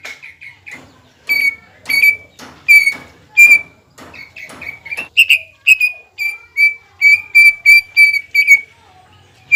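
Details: Greater green leafbird in lively song aimed at provoking another leafbird, mixing soft chips, loud ringing whistles in pairs, and a closing run of rapid, evenly spaced clear notes.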